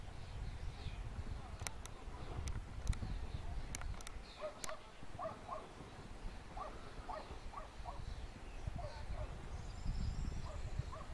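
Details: Wild European turtle dove, an endangered species, in Lower Silesia, Poland, where five nests and 14 birds share four square kilometres. Short rolling purred notes come in paired bursts over heavy wind rumble, with a few sharp clicks early on.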